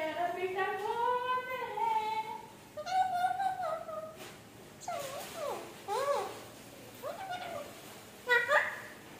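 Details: Talking parrot imitating speech: a long wavering rising phrase, a flatter call, then a series of quick, sharply bent syllables spaced over several seconds.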